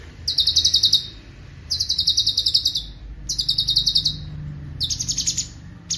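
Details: Fast rolling song of a cucak cungkok, a bird said to mimic other sounds. Quick high pulsed trills come in tight one-second bursts about every 1.5 seconds, and the last phrases are slightly rougher.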